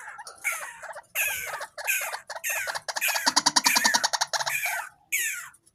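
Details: Hand-raised tame white-breasted waterhen calling in an unbroken series of harsh, nasal, downslurred notes that run into a fast, pulsing chatter of rapid repeated notes, ending with one more descending squawk.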